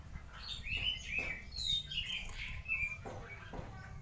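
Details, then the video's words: Oriental magpie-robin lure song meant to draw other birds into singing, heard faintly through steady low hiss and rumble: a series of short whistled and warbled notes with a few sharper accents. "Suara Pancingan dan Masteran Kacer"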